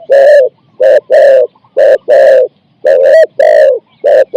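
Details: Spotted dove decoy for catching wild doves, in 'ang'-style song of four to five notes: loud, low, throaty coos in short-long groups, about nine notes, one with an upward inflected tail.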